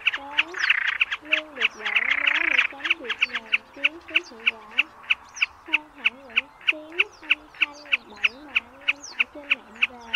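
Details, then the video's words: Lure recording of common snipe for nighttime net trapping of migrating birds in March: a fast, even series of short sharp ticks, roughly three per second, opening with a harsh buzzy burst, with undulating lower whistled calls throughout. "Tiếng Bẫy SÂM GIUN , DẼ GIUN lớn ĐUÔI XOÈ"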